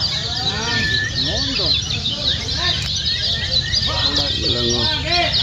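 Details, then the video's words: Gonsrengan-style crowd song of Lombok Lemon-bellied white-eyes, played as a contest lure: a continuous high, rapid twittering wash over scattered lower arching whistles and brief clicks. "Bikin Kecial Buka Paruh | Pancingan Original Suara Gonsrengan Lomba Kecial Kuning Lombok"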